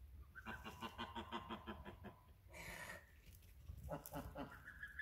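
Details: Rapid run of low, harsh goose honks in a steady series, then a louder rising call near the end, over a low background hum.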